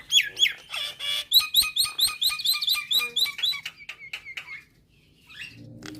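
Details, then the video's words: Nias hill myna song played to set starlings singing: high loud whistled notes repeated about twice a second, slowing and fading after four seconds into quiet. "Kicauan Burung Jalak Akan Bunyi Jika Dengar Kicauan Jalak Nias Suara Unik"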